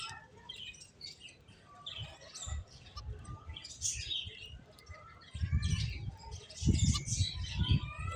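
Finches chirp in short, high, scattered notes, with several birds calling over one another, against a steady low rumble and bumping noise.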